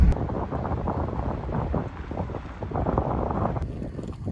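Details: Low rumbling wind buffeting the microphone with boat and water noise, and no animal voice.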